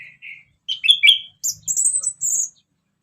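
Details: Orange-headed thrush singing ngeplong-style: two soft low whistles, then a quick run of varied notes ending in thin, very high, drawn-out whistles.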